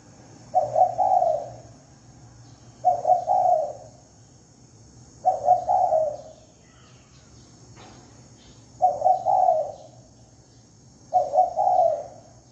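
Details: Spotted dove lure call delivered five times in a steady series, each phrase a stuttering double note and a rolling falling coo, separated by two to three seconds of near silence and a faint hum.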